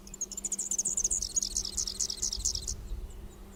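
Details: Superb fairywren from Australia giving an ultra fast, high-pitched song likened to a laser or sci-fi effect: a rapid stream of very high trilled notes lasting nearly three seconds, over a steady low hum and background music.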